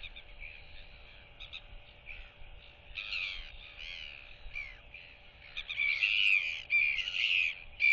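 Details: Royal albatross chick performing a display and whistling to neighbouring chicks, head swinging side to side, neighbours clacking, 8 July 2023; soft clicks at first, then louder, rising and falling whistled wails in bursts.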